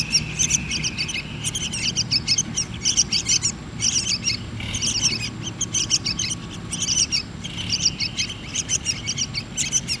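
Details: Begging of yellow-vented bulbul chicks while hand-fed: rapid, shrill, high-pitched chirping in repeated bursts separated by short gaps, steady low background hum throughout.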